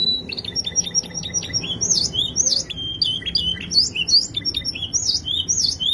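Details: Canary singing a dense, high-pitched song of rapid chirps and trills, with quick repeated notes giving way to sweeping, looping whistled phrases; faint low background hum.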